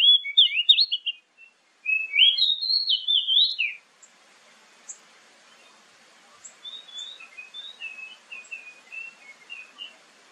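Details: Lure song of an Oriental magpie-robin, played morning and evening so other birds answer: nearly four seconds of loud jumbled whistles and trills in two bursts, followed by faint distant chirps.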